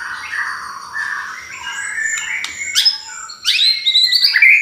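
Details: White-rumped shama song as a provoking lure: low warbled phrases followed by bright rising high whistles and sweeps, with a steady faint background tone.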